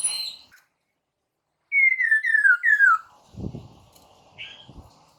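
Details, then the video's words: Laughingthrush phrase used to trigger a reply from caged birds: a series of four clear whistled notes stepping downward, each sliding lower, followed by soft rustling and one short high whistle. "SUARA PANCINGAN POKSAY MANDARIN, BIKIN POKSAY ANDA SEKETIKA NYAUT"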